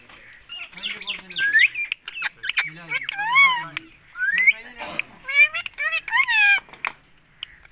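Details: Rose-ringed parakeet from Pakistan making a busy mix of bent, whistled squawks and chattering, speech-like harmonic notes, in bursts with brief pauses and clicks.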